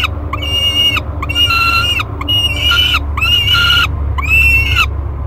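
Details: Nest-box peregrine falcon nestling aged 30 days, recorded by camera at Great Spirit Bluff on 1 July 2021: five harsh, harmonic wails spaced about a second apart, each flat in the middle and bending down at the tail, over background hum.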